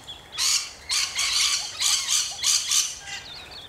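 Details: Rainbow lorikeets in Australia screeching loudly: five or six harsh, noisy bursts about half a second long each, spaced irregularly, with faint thin twitters between them.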